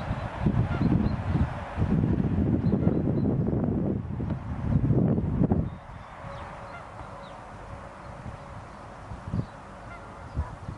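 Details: Canada geese, a bonded species, on a lakeshore; a burst of low, harsh honking and gabbling fills the first six seconds in overlapping bouts, then fades to occasional single honks over quiet background.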